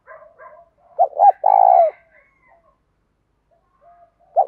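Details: Morning lure call of a spotted dove, 'thổ' voice with 'thúc' elements. Faint soft notes open the sequence, then two quick coos and a long, buzzy, descending coo follow. After a quiet pause a new coo begins at the end.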